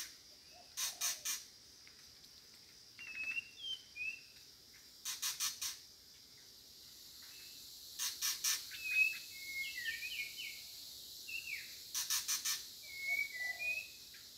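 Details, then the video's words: A White-rumped shama calls for a mate: bursts of three or four harsh, rasping notes about every four seconds, mixed with short, clear whistled phrases, against a quiet background. "นกกางเขนดง "ร้องหาคู่""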